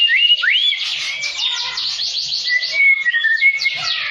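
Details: White-rumped shama reacting to a rival with varied song: rising slurred whistles, dense buzzy trills, and clear level whistled notes near the end.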